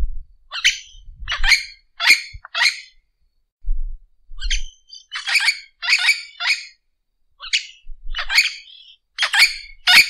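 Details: Orange-winged amazon repeating loud, grating squawks in irregular bursts of two to four calls separated by short pauses, with faint low thumps underneath.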